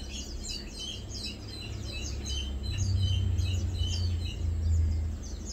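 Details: Lowland white-eye foraging on 2 August 2022. A busy stream of quick, high-pitched chips and twitters comes several times per second, set against a loud low rumble that swells midway.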